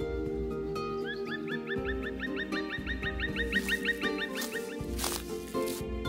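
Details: A Black Woodpecker in a wild forest with ponds and many woodpeckers gives a quick run of ringing, upslurred notes, about three a second, over steady background music; finding: Black woodpecker.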